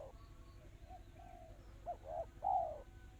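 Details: Spotted dove in the 'kristal rapat cepat' song style: soft low murmurs lead into one loud phrase of two short coos and a long falling coo. Faint high bird notes and a steady low hum sit behind.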